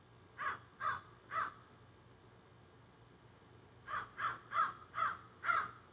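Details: Noisy crows in trees behind a garden, filmed on a cell phone: a run of three harsh caws, a silent gap of about two seconds, then a faster burst of five rasping caws.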